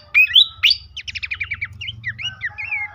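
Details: Horsfield's babbler song, used to prompt caged birds into active singing: sharp rising whistles, then a quick run of repeated downslurred notes and looping whistled phrases, with a low hum underneath.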